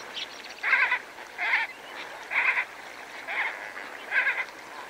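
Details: Greater flamingo flock feeding with lesser flamingos: loud, nasal, goose-like honks come roughly every second, five or six in a row, over a low continuous hubbub of other birds, spur-winged geese among them.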